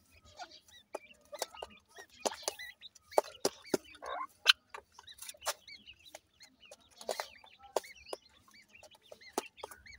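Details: Young partridges at play give scattered, high arched cheeps amid frequent crisp clicks and tapping.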